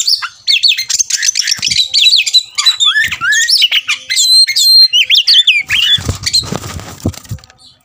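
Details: Oriental magpie-robin, provoked to fight, delivers a loud, dense stream of varied whistled notes and quick slurs, fading into a scratchy rustling noise near the end.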